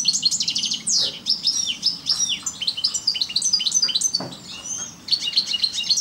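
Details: Parva European goldfinch giving a lively song of rapid high twitters, sharp downward-sweeping notes and short trills, with a faint low hum in the background.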